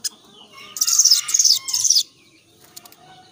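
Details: Young sooty-headed bulbul singing in lively varied voice: a loud bright burst of about 1.2 seconds of rapid chirpy high notes, then quieter faint calls.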